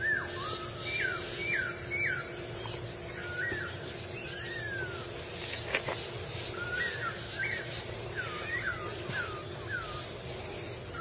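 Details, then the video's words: Several laughingthrushes in the wild calling together, a busy run of looping, downslurred whistles in two bursts, with a steady low hum and a brief click in between. "KEHIDUPAN BURUNG POKSAI D ALAM LIAR_POKSAY"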